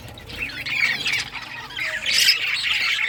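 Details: Several rare-coloured budgerigars playing with toys on 18 June 2023: scratchy warbling chatter that swells into a louder burst of squawks and high whistles near the end.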